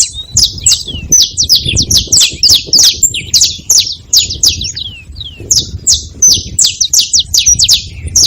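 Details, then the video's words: Busy chirping from saffron finches at a feeding spot: crowded, high, descending notes in rapid runs, broken by a brief quieter gap halfway through, over faint low background noise. "Canário da terra fazendo barulho na seva"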